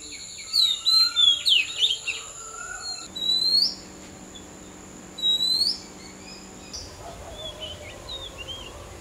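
Oriental magpie-robin singing a varied run of clear, rising and falling whistles, rapid at first, then single sweeping notes every couple of seconds.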